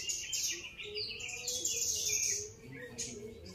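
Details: Grey-cheeked bulbul giving a dense run of bright, high twittering chirps and trills, rapid and overlapping for about three seconds, fading near the end, with a faint steady low hum beneath.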